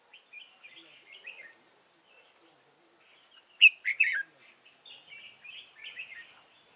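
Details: Red-whiskered bulbul used as a trapping decoy in Dong Nai, Vietnam, 15 November 2017: soft twittering phrases around a single loud burst of quick warbled notes midway.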